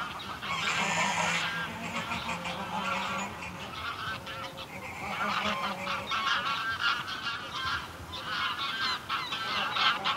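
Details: Small flock of greylag geese giving flight calls close up, then calling from the ground at mid distance: a loose, overlapping chorus of harsh, nasal honks, several birds calling at once in bursts throughout.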